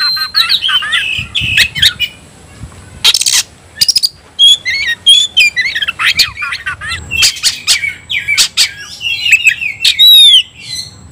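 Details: Oriental magpie-robin song used to provoke rival birds to fight; scattered clear whistles, rising slurred notes and sharp clicks, with harsh rasping bursts between phrases and a bright upward sweep near the end.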